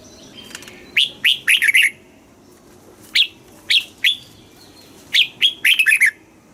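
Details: Caged red-whiskered bulbul from Thailand singing in the southern master style, played to excite caged birds and teach young birds: bright whistled notes in quick falling bursts of four or five, separated by single clear notes spaced about half a second apart.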